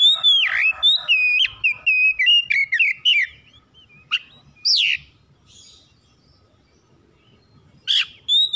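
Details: Home-kept oriental magpie-robin singing, used as a lure to trigger singing morning, noon and night: loud, clear whistled phrases around a high steady pitch, with swooping slurred notes and rapid chirps, then a quiet pause before bright whistles resume.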